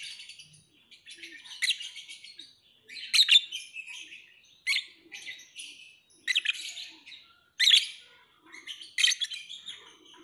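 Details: Lovebird singing: short bursts of scratchy, chattering, buzzy notes roughly every one to one and a half seconds, with quieter twittering between bursts.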